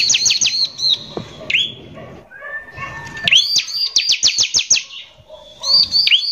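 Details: Bar-winged prinia lure song in the rough 'nembak kasar' style, meant to rile other prinias: brief bursts of fast high notes, an upswept chirp and a low flat whistle, with scattered clicks between phrases.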